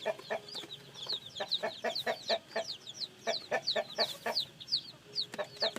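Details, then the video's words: Newly hatched chick peeps, high and falling, mixed with a rhythmic run of short low knocking taps and clicks, the cheeping continuing almost without pause. "Âm thanh gà con mới nở kêu"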